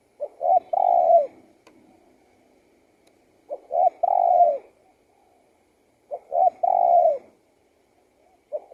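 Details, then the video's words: Spotted dove repeating its cooing song, phrases roughly every three seconds, each a pair of short notes leading into a longer mellow coo. "BIRD SINGING"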